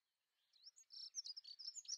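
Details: Dunnock, Prunella modularis, singing a fast jumbled warble of high squeaky notes that starts after a quiet half second and runs continuously to the end.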